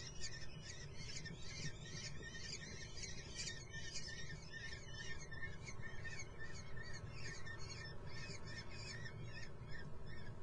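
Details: At a nest in Muttenz, common kestrel chicks call in thin, high chittering squeals, many quick notes overlapping continuously above a low rumbling background.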